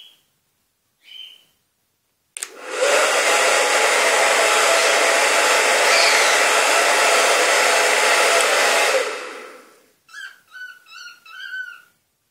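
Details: A pet cockatiel whistles in response to a hair dryer being switched on, giving short clear whistles around the long, loud roar of the dryer.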